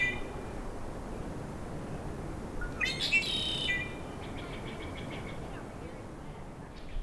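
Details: A Red-winged Blackbird, seen with red on its wings, in a swampy lakeside riparian area in Yosemite National Park, gives one buzzy, rattling burst about a second long, then a few faint, high repeated notes, over a steady low rumble of wind.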